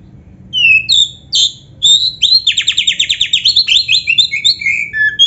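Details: Oriental magpie-robin of the black-breasted form, played so caged birds answer; a few loud clear whistles, then a rapid series of about twenty repeated buzzy trilled notes, closing with downslurred whistles.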